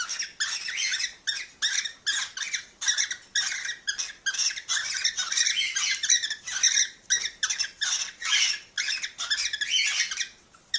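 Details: Cockatiel calls meant to spur mating: a continuous chatter of coarse, squawky chirps in rhythmic bursts that barely pause.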